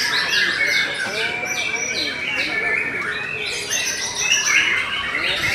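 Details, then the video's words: White-rumped shama called Murai Batu Belanda, singing steadily: a busy stream of high chirps and trills over a sustained shrill whistled note, with looping softer warbles lower down. "TOP CERR🔥 Murai Batu BELANDA Memang TOP - Masih Stabil"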